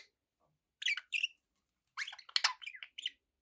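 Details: Pet budgies giving two sharp chirps, then a quick run of scratchy, warbling notes rising and falling after a short pause.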